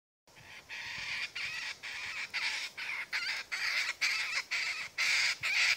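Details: Laughing kookaburras, three living in a thicket where two are fighting as others watch, give harsh, raucous cackling bursts, about two a second, each rasping chuckle swelling louder toward the end.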